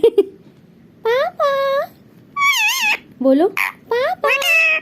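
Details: Indoor pet parrot on its mirror frame, talking while excited by its reflection: several short, high-pitched, speech-like syllables with bending, warbling tones, separated by pauses, some rising sharply, in a small quiet room.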